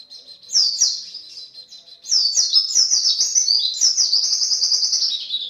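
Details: White-eye in full 'gacor' voice, a 'pancingan' lure recording: soft opening chirps, then a sustained, very rapid, high-pitched warbling chatter that grows dense and continuous to the end.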